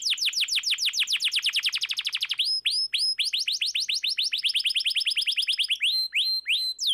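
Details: Canary singing, American singer style, used to prompt silent canaries to sing: a very fast roll of repeated downward-sweeping whistled notes, then a slower series of rising-falling sweeps and buzzy high trills, loud and clear.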